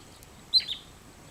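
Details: Early-arriving migrant wood sandpiper, 27 August, uttering one brief shrill whistle of two quick descending-sounding notes, the first loudest, with faint background hum.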